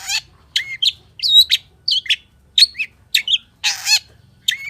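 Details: Long-tailed shrike singing a full, varied song: scratchy chirps and whistled notes mixed with harsh broad rasping bursts, phrases spaced about half a second apart.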